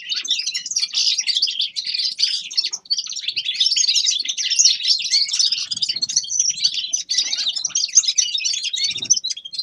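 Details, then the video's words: Grey-crowned goldfinch singing a dense, unbroken twittering song of quick high chirps and trills for the full ten seconds, with faint low knocks near the end. "Седоголовый щегол Carduelis caniceps певчая птица"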